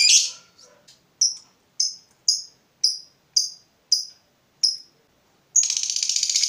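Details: Provoked fighter lovebird: an opening chatter, then sharp isolated ticks of ngetik roughly every half second, breaking into a fast rattling ngekek trill at the end.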